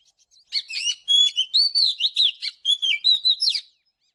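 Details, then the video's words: Oriental magpie-robin morning song heard for bird training: a few faint notes lead into a lively string of clear whistles, upslurs and rattling trills. "เสียงนกกางเขนบ้านหรือนกบินหลาขี้ควายใต้ Chòe than HÓT SÁNG|| Luyện chòe HÓT GIỌNG GIỪNG"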